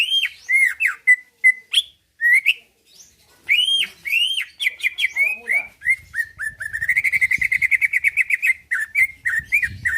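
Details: Greater green leafbird, a caged songbird in Pasuruan, Indonesia, in full song meant to make other birds answer and fight: varied loud whistled slurs, a brief pause, then a long rapid trilled series with faint background noise.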